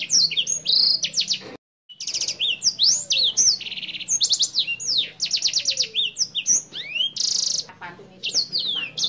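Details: A senger bird, described as a lively, clear-voiced singer suitable as a tutor song for training other birds, sings a fast, high, varied song of chirps, sweeping whistles and rapid trills, with only one brief pause.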